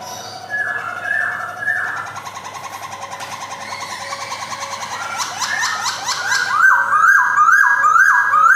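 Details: Male white-cheeked Black-throated laughingthrush kept in a Jogjakarta collection, 2021, giving varied song: a few whistled phrases, a busy stretch of rapid mixed notes, then a rhythmic run of upslurred whistles growing louder.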